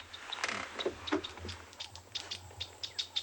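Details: Several agitated chinspot batises in the Djuma Private Game Reserve, Sabi Sand, greater Kruger, South Africa, at sunset, giving short chirping notes scattered through the moment, with faint wing flapping and a low background hum.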